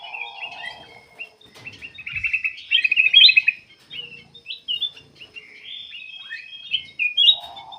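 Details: Lively black-capped bulbul song, used as a lure so other birds begin singing; a long, fast medley of high warbles and whistles with a brief rattling trill in the middle and a low hum at the start and end.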